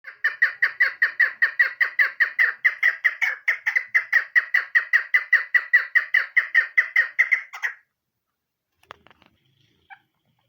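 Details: Female chukar partridge calling: a fast run of harsh, clucking chuk notes, about two and a half per second, steady for nearly eight seconds and then stopping, followed by a few faint clicks and handling noise.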